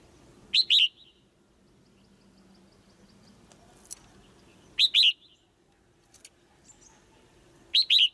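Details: Female white-eye in a cage, calling to push a male to sing harder; bright chirps bunched in tight pairs of downslurred notes, three bursts spaced about four seconds apart, with quiet hum between.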